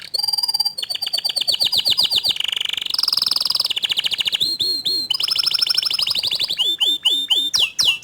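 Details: Canary song from a young bird reacting to hearing another canary: an unbroken stream of quick rolling trills, buzzy rattles and repeated down-slurred whistles, changing phrase every second or so.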